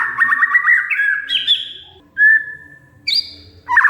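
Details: Oriental magpie-robin (kacer) song played as a lure for a silent bird: a quick rattled trill, then separate clear whistled notes at varied pitches with short pauses between.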